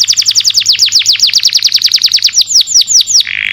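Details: Canary long song for tutoring caged birds, a steady rapid series of bright down-slurred whistles that slow toward the end before a short buzzy note.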